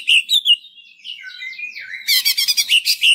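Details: Greater green leafbird lure song for stimulating other leafbirds: a string of sliding whistled notes dropping in pitch, then a rapid burst of sharp chirps.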